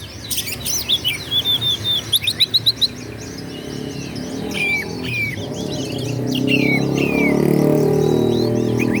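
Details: Oriental magpie-robin in provoking song for rivals: quick rhythmic run of sharp notes and whistles in the first three seconds, then scattered slurred whistles as a low engine rumble grows louder.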